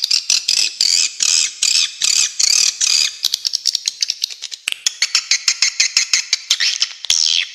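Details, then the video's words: Swiftlets give long series of high buzzy rattles, first in steady rasping bursts, then breaking into fast dry ticking clicks before a final drawn-out buzz. "Suara Walet Original"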